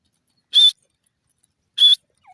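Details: Grey francolin (dasi teetar) giving two piercing, harsh, high-pitched notes about 1.2 seconds apart, followed by a faint short note, with near-silent surroundings.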